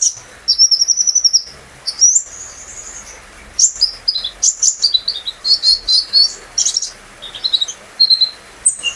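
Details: A caged olive-backed sunbird's lure song for training other birds: opens with a rapid high trill, then a string of piercing high chirps and short buzzy notes in quick, irregular succession.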